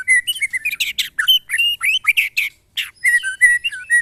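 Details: White-rumped shama in a cage, tested against neighbouring birds, singing loud rich whistled phrases with slurred up-and-down notes and harsh accents, nearly continuous, with a brief pause midway.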